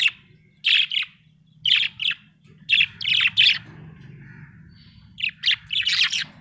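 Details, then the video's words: Happy budgerigar chirping in short bright bursts, pairs of harsh chattering notes repeated every second or so with brief pauses, over a low steady hum. "Happy budgie chirping sound"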